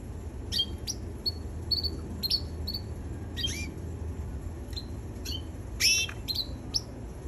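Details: Baby red canary producing a quick series of short, high chirps and clipped whistles, irregularly spaced through the clip, some sharp and upswept, against steady low background noise.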